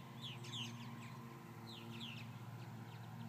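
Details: Purple martins calling after several hawk attacks: short rising and falling chirps, high and bright, in loose bursts over a steady low hum.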